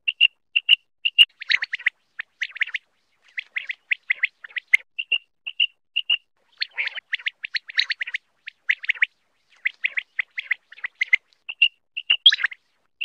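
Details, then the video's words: Common quail, known locally as batair, calling in a Pakistani hunting recording: bright, clipped pips in small groups repeat throughout, mixed with bursts of rapid, scratchy chirping, with brief silences between phrases. "Common quail mp3 sound ll common quail hunting ll quail sound ll Batair mp3"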